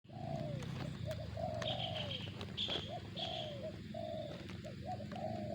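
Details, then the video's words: Spotted dove giving its zong-style call: two or three short clipped coos, then a long drawn-out coo that slides down at the end. The phrase repeats steadily over a steady low hum, with faint high chirps from other birds. "suara burung tekukur target zong"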